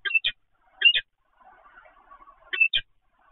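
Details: Peregrine falcon calling at the Evoluon nest site in the Netherlands, 7 February 2020, 15:55: three pairs of short, harsh, clipped notes spaced about a second apart, with a faint low murmur between them.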